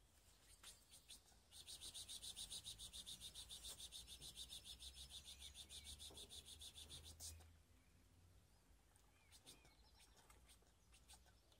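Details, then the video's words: Skopje baster canary with a mixed song: a distant, steady buzzing roll of very rapid even pulses lasts about six seconds, followed by scattered faint chirps over quiet background hiss. "Canary mixed best song"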